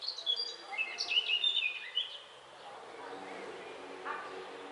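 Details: Four peregrine falcon chicks being fed by an adult on 29 May 2021 give harsh, squealing begging calls in a rapid, overlapping two-second burst, which then fades to quieter background noise.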